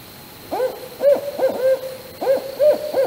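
A barred owl gives a quick run of about six mellow, bending hoots over two and a half seconds, over a faint steady high-pitched hum.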